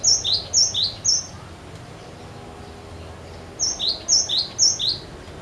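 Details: A cinereous tit sings insistently to draw song from other birds, giving two sets of three ringing two-note phrases, each note pair stepping down in pitch, separated by a short pause.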